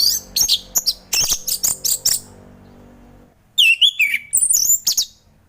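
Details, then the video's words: Orange-headed thrush singing in the relaxed ngeplong style, used in the morning to coax reluctant thrushes into song: a fast burst of sharp, high chattering notes, a pause, then loud slurred whistles swooping up and down. "Kicauan Anis Merah || Ngeplong Santai"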